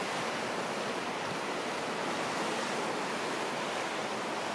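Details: Only a continuous hiss of waves and wind on a shoreline is heard, steady and unbroken, with no bird voices.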